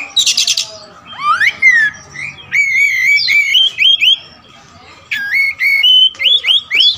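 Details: Kacer wulung, the all-black Oriental magpie-robin, with a large song repertoire: a buzzy rattle opens, then clear whistled notes, stepped and wavering, repeated in quick bursts with brief pauses between phrases.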